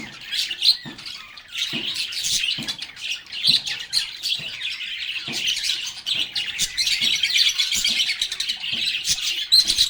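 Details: Several lovebirds singing, playing and chatting together: dense, continuous high chirping and twittering with scratchy, buzzy notes, overlapping throughout with occasional louder squeaks.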